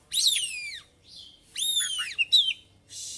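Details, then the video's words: White-rumped shama in energetic ngeplong song packed with borrowed phrases; rich descending whistled notes with strong overtones, a lower buzzy phrase, then a quick sharp whistle and a short hiss. "Kacer Gacor ngobra (Bongkar Isian)"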